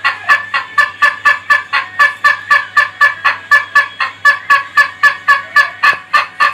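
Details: Rapid laughing crow from an Ayam Ketawa rooster: dense, steady, chuckling syllables repeated about four times a second throughout, uniform in rhythm and strength, with a quiet low hum beneath.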